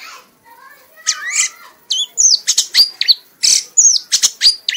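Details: Red-whiskered bulbul, an award-winning bird, singing in a frenzied, ecstatic state until exhausted: soft warbling at first, then a fast run of loud, high, sharp whistled notes and chirps, some sliding down, about three per second.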